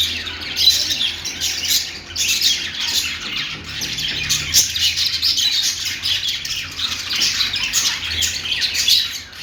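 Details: Happy budgie noises: steady high chattering of many small parrots, scratchy warbled chirps tumbling over each other for the whole stretch, louder at the start and end.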